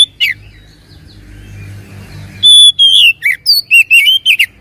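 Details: Oriental magpie-robin song, used to provoke a reluctant bird into singing: a brief note, a low rumbling pause, then a rapid sequence of about eight clear whistles, long steady tones and abrupt falling slurs.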